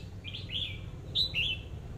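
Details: Red-whiskered bulbul, a caged decoy bird, gives two quick whistled phrases, the first a rising warble and the second a sharper, higher twitter, against a steady low hum.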